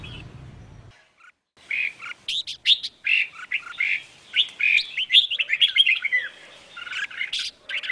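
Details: A red-whiskered bulbul female calling to excite males into singing: after a low rumble and brief silence, a lively stream of varied whistled and chirped notes runs on for about six seconds.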